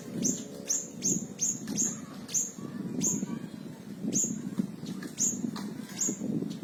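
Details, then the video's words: Small minivet (siri-siri kecil) tembakan, meant for training caged songbirds: bright, upward-flicking high notes given singly or in pairs roughly every half second over a low murmur. "Tembakan burung siri-siri kecil"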